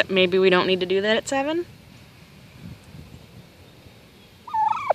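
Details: Turkey hen calling at a neighbour early on a Sunday morning, 7 am: a loud, rapid, buzzy, rattling burst of harmonic pulses lasting over a second, then quiet, then a short whistled note that falls away at the end.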